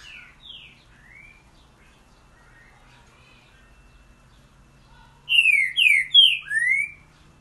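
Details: Boiadeiro song of a green-winged saltator. Soft distant whistled notes open the recording, then after a long pause a loud phrase of four quick, clear slurred whistles, each bending downward, the last rising and held.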